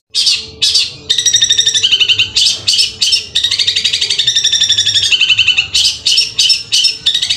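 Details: Long-tailed shrike, Madura type, pouring out 'tembakan kuntilanak sambung bessetan' song of natural material: loud, fast, harsh high notes rattled in long dense strings, barely pausing.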